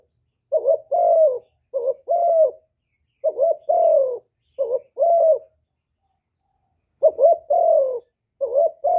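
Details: Spotted dove hạp bổi song of calling, urging and cooing, recorded with no background noise for stimulating decoy doves; paired coos repeated in quick series, a gap of silence, then the series resumes.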